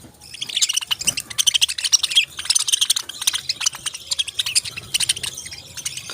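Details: Parrots chirping in a dense, continuous chorus of high, rapid tweets and twittering notes, several birds calling over one another with barely a pause.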